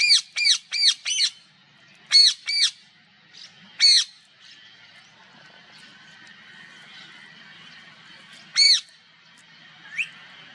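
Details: Bursts of harsh parrot screeches, four quick ones, then pairs and single squawks separated by pauses, over a faint background hum.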